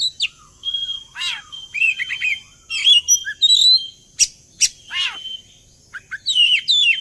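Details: Lure song of an Oriental magpie-robin, played so birds join in: lively run of high whistles, trills and sharp downslurred chirps with short gaps between phrases.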